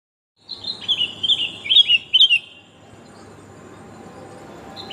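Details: Sooty-headed bulbul female calling the male, a recording used to lure birds: a quick burst of bright, bubbly chirps dropping and rising in pitch for about two seconds, then a low steady hum.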